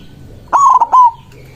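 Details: White zebra dove, a strong caller with a big voice, cooing emotionally to call rivals: a loud three-part coo, two short notes and a longer falling one, within half a second.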